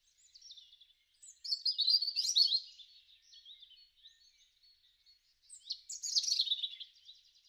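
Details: European robin singing in a garden in spring, March to April 2013; two high, thin warbling phrases of quick twittering and trilled notes, about three seconds apart, with soft scattered notes between and no other sounds.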